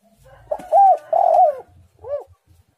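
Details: Spotted dove, tekukur, a lively singer, giving firm hollow coos in a tight run, two long pressed notes then a shorter final coo, over a soft low rumble.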